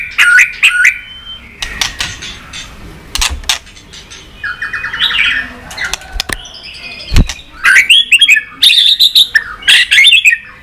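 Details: White-rumped shama delivering continuous 'tạch' song meant to stimulate other shamas: bursts of bright, warbling whistled phrases and quick chattering notes, broken by sharp clicks and a buzzy rattle mid-way, with some background rustling.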